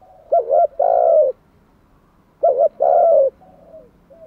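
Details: Spotted dove decoy calling wild doves in: two loud phrases, each a stuttered double note then a long warm coo, about every two seconds, with faint answering coos afterward.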